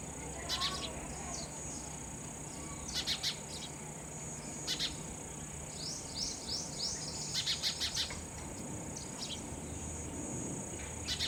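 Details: Sparrow feeding its chicks raw insects: short, sharp high chirps and quick downslurred notes come in loose bursts every second or two over a steady, shrill insect drone.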